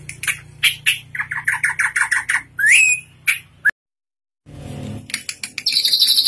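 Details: Drongo, tame and singing constantly, its song filled with learned fill-in phrases: chirp series, a loud upswept whistle, a brief silence, then high buzzy trills over a low rumble.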